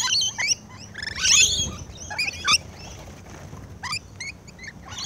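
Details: Close-up of rainbow lorikeets feeding, giving loud shrill squawks in a dense burst at the start, then scattered sharp chirps and chattering notes, with a faint low background hum.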